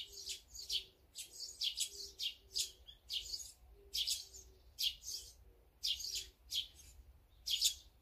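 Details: Mixed small birds, named as azure-winged magpie, sparrow, tit and brown-eared bulbul, feeding together, call with repeated sharp high chirps and tweets about once a second, steady throughout, with a soft low hum in the background.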